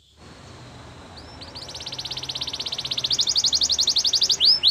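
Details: Belgian canary training song over steady background hiss: a fast, rolling trill swelling louder and climbing in pitch, ending in a couple of upswept whistles.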